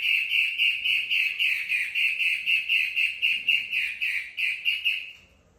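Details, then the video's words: Female long-tailed shrike singing vigorously: a fast, harsh, chattering series of strongly accented notes, about four per second, steady in pitch, fading out over the last second. "Suara burung centet matahari betina gacor"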